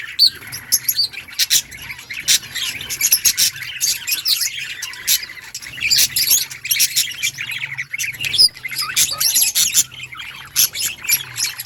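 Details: Budgerigars in an outdoor breeding colony, a dense chorus of many birds chirping together: rapid, overlapping high twitters and chattering squawks with scattered louder bursts, continuous throughout.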